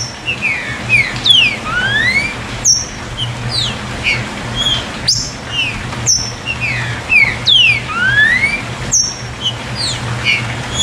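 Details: Green-winged saltator "chuva" song, played to stir captive birds to sing: rich whistled phrases of rising and falling slurs, about two a second, with bright high notes and sharp clicks repeating through a low background hum.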